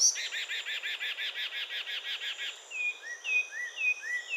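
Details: Carmiol's tanager, a fruit- and insect-eating bird about 17 cm long, native from Nicaragua to Colombia: rapid run of about fourteen bright chirps, then several slurred downward whistles, with a steady insect hum behind.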